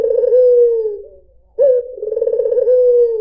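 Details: A white Barbary dove gives a steady, low drawn-out coo that fades, then a sudden rising note and a rolling, purring coo ending on a sustained falling tone; quiet background.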